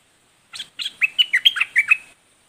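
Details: A red-whiskered bulbul gives a brisk, liquid phrase of rolling whistled notes that dip and rise. Two short chirps open it, and the whole phrase ends after about one and a half seconds.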